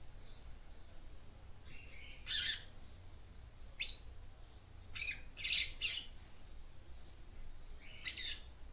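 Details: Female papa-capim seedeater voice used to stimulate a male: scattered short, scratchy high chirps and a thin whistle, separated by long silent gaps, with a clustered burst near the middle.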